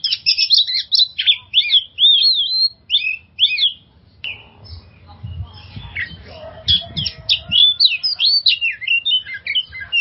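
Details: Lure song of an oriental magpie-robin for stressed birds: quick whistled and rasping phrases, a quieter stretch with soft background noise and low thuds, then fast varied trilled notes resuming.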